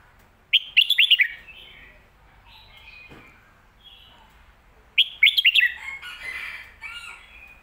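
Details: Red-whiskered bulbul giving the popular 'phat kuaitiao' or 'mae bot' song phrase: a rapid run of bright, looping warbled notes, softer twittering, then a second lively phrase trailing into chatter.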